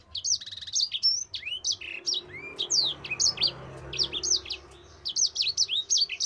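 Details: Long rolling training song of a Mozambique canary, a fast run of sharp chirps, upslurred and downslurred whistles strung together in lively bursts, briefly pausing before resuming, with little background noise.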